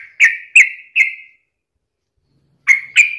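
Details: Sooty-headed bulbul singing as a daily practice lure for other bulbuls: three bright, slightly slurred whistled notes about half a second apart, a pause, then two more.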